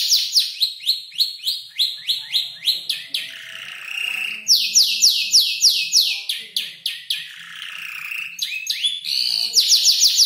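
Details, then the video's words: Young canary, about five months old, copying tutor birds such as ciblek, klik-klik and prenjak lumut: rapid series of sharp downward-sweeping notes, a buzzy trilled passage, then more quick repeated sweeps. "Kicau burung kenari gacor noto lagu U 5 bulan"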